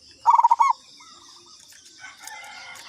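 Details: Local zebra dove lure call, katuranggan type: one fast burst of six stuttering coos, then softer coos and rustling noise.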